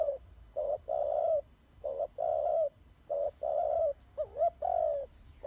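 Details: Fighting turtle doves with a deep rhythmic cooing phrase of brief stuttered notes and longer coos, ending with a wavering rising-falling note; faint hum in the background.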